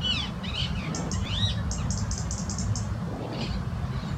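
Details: A European robin in a rose garden, annoyed by a couple of Rose-ringed Parakeets on the branch above, ticks irritably at them: sharp, high ticks about four a second, with harsh parakeet screeches early on over a low rumble.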